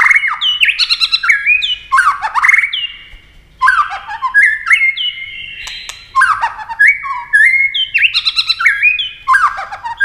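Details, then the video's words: White-rumped shama in a competitive speed singing match, continually flashing wings and playing its tail; loud, dense bursts of varied whistles, chatters and clicks delivered in rapid phrases with brief gaps. "chòe lửa hót đấu tốc độ"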